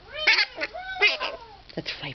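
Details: A talking pet mitred conure (Psittacara mitratus) gives a mimicked laugh: three quick, throaty, voice-like bursts with rising and falling tones, about one every 0.7 seconds.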